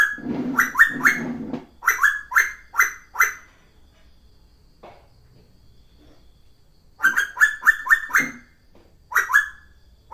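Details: Cuckoo (tuwu) in full voice: bursts of rapid rising whistled notes, several in a row, then a pause of about five seconds before another fast series. A few softer buzzy sounds are mixed in.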